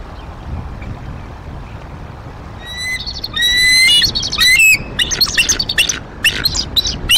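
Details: Female bald eagle vocalising at her Decorah nest in April 2023, whistling and calling at prey deliveries and while warning off an immature eagle: clear rising whistles with overtones give way to loud, harsh chattering bursts.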